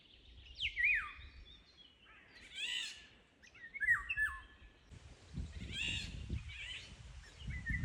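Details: Eurasian golden orioles, perhaps about six birds, heard at very close range in June give harsh, cat-like rasping calls mixed with short downslurred whistles.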